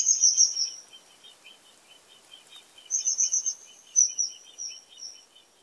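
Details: Common kingfisher producing strong, very high, rapidly pulsed whistled trills that fade out, heard in three bursts, with steady lower, quick chirping from another caller running underneath throughout.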